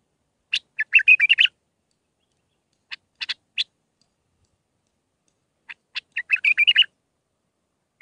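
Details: Bulbul song in the Mandalawi style with six phrases, used to train young birds. Short bursts of bright chirps and warbled notes, repeated in three phrases separated by silent pauses, on a clean background.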